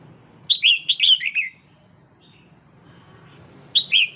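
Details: A female red-whiskered bulbul, a cage bird, excites the male with a rapid run of ringing, downward-slurred notes, then a two-second silence and a short two-note burst at the end. A faint low hum sits underneath.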